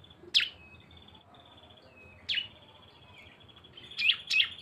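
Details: Cisem lure recording combining two birds in the bren style: sharp high chirps spaced about two seconds apart, linked by thin, level buzzing trills, ending with two quick bright notes.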